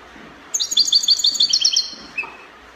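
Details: Copia-style European goldfinch song recorded in Morocco: a quick sparkling trill of high repeated notes for over a second, followed by a single lower whistled note.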